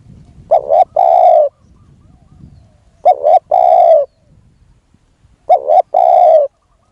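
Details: Wild spotted dove being lured by a decoy. Three evenly spaced phrases, a brisk two-note stutter then a long smooth coo, repeat about every two and a half seconds with light background rustle.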